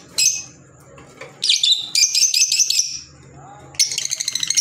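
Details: Green Fischer's lovebirds kept as pets, giving shrill, high chirps and buzzy chattering bursts in quick rapid pulses, with pauses between bursts and faint low background hum.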